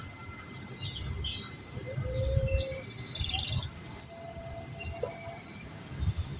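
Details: Olive-backed sunbird in 'tembakan' song used to stimulate untrained birds: rapid, even strings of high, sharp notes about four per second, broken by a short gap and a thin lower whistle.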